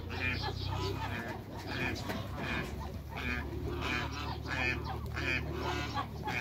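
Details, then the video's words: Cayuga crossed with mallard, a group of hybrid ducks greeting other ducks, calling with loud, rasping repeated quacks that pile over one another, set against a constant low droning hum. "MEETING HYBRID CAYUGA & MALLARD DUCKS"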